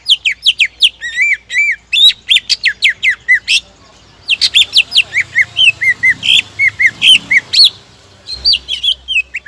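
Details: Greater green leafbird song used to goad rivals into full singing: fast repeated falling whistles and chattery notes, a brief lull around four seconds, then a long varied series of bright, warbled notes.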